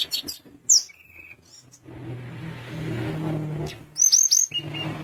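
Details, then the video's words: Sunda minivet singing to rile up rival birds: isolated high whistles, a short level note, then three quick upswept whistles, with a steady low engine-like hum underneath. "Tledekan gunung gacor bikin lawan emosi langsung bunyi"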